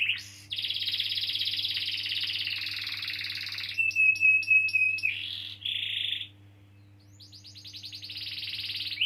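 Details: Canary song meant to prompt young or non-singing canaries: a long high buzzy roll, a few sharp clicking notes over a thin whistle, a short trill, a pause, then fast descending chirps building into another roll.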